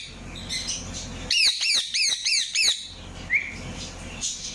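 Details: Indian ringneck parakeet giving a quick run of about seven sharp, arched chirps, then a short scratchy note and faint chatter.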